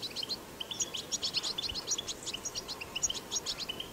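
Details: European goldfinch recorded in the wild in batbata song style: a busy run of high twittering chirps, buzzy trills and tinkling notes, lively and unbroken.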